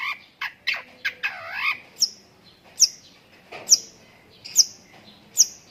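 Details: Long-tailed shrike singing lovebird-learned phrases: opening scratchy squawks and a nasal slurred note, then evenly spaced piercing high chips, a little under one per second.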